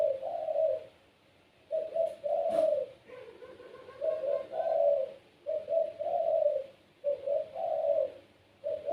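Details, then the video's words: Pet puter pelung dove in full song, said to prompt other puters to join in; short low coos in quick bursts with gaps between, and a faint click near the start. "PUTER PELUNG SUARA GACOR||Bikin puter lain ikut bunyi."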